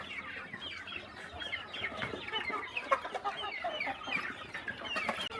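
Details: Chickens on a small countryside farm during morning feeding: a dense, continuous chorus of overlapping chirps and clucks from many birds, steady and busy throughout.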